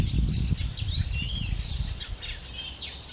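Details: Fledgling fieldfare awaiting adults with food, 20 May 2013: thin, high chirps and drawn-out whistled slurs follow one another rapidly, with steady low-pitched rumble beneath.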